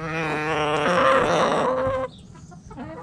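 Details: A rooster in a backyard chicken coop crows loudly: a long, strongly harmonic, drawn-out call lasting about two seconds with a pitch step partway, then a quieter background of soft clucks.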